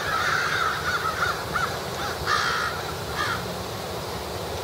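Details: A flock of crows feeding ahead of their evening roost gathering gives a fast series of grating caws, then a few louder, harsher ones, against a noisy outdoor background.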